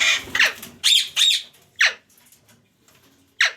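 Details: Pet parrot indoors giving a burst of harsh, broadband squawks, several in quick succession followed by a falling screech, then a pause of over a second before one more descending squawk.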